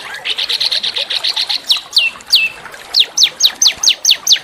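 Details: Small songbird singing a training song for shamas and magpie-robins, rough yet melodious; a fast buzzy trill of even notes, followed by a string of sharp descending whistled sweeps about every third of a second.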